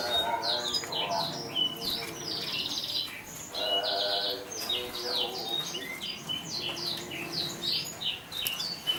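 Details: Atlantic canary that won a 2014 contest, singing a steady stream of high, rapid, varied chirps and slurred notes against background human chatter.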